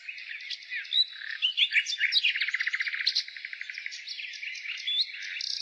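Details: Nightingale singing in spring: a varied run of rich phrases, sharp whistles and chirps, then a fast rattling series of repeated notes near the middle, ending in further whistled fragments, all high-pitched with a quiet background.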